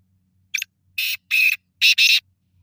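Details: Black francolin giving a harsh, grating call: a short lead note, then four loud rasping bursts, the last two run closely together.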